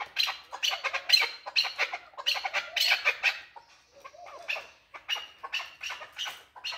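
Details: Male chukar partridge calling: a fast series of harsh, rasping chuck notes in uneven bursts, a brief quieter pause midway, then the chattering resumes.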